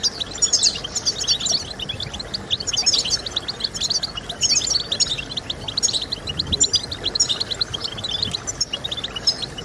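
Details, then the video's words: European goldfinch singing, used for stimulating song in kept goldfinches: rapid, high-pitched jingling twitters in clustered phrases, loudest near the start, above a soft noisy backdrop. "Stimulating Birds with Goldfinch Sounds"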